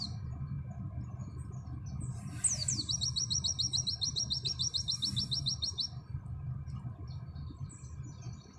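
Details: Pleci auri white-eye: after quiet chips, two descending whistles lead into a three-second run of fast, evenly spaced high trill notes, then soft scattered calls with low hum beneath.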